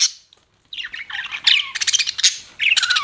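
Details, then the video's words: Chirping budgies, a silence then mixed warbles, scratchy squawks and a short whistled slur, rising into bright twittering toward the end. "BUDGIES CHIRPING SOUND"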